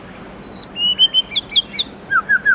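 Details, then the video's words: White-rumped shama in the morning, forest-voice song style: a thin, high, steady whistle, then sliding whistles and crisp, high, bouncing notes, closing with three lower falling whistles. "Chích chòe lửa Hót Giọng Rừng cực hay buổi sáng"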